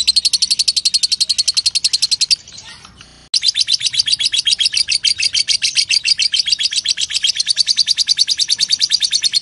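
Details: Long ngekek chatter of a lovebird, kept as training material for young songbirds: rapid, rasping high pulses in a continuous rattle, a brief quieter break after two seconds, then the dense chatter resumes strongly to the end.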